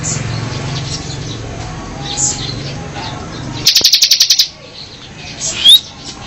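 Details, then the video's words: Mountain cemblek bird chirping: a rapid burst of about nine dry, high chirps in under a second, then a single thin rising whistle, over a low rumble of background noise. "Chirping Sound of Mountain Cemblek Bird"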